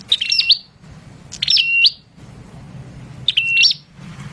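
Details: Prinia singing actively, three short, high, chirpy phrases with quick trilled ornaments, each about half a second long and spaced roughly every 1.6 seconds, over a faint low rumble.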